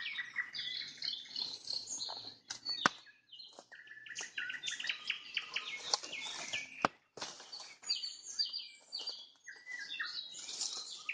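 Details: A nightingale's sunset trills: long, varied phrases of chattering notes and whistles, punctuated by a few sharp clicks.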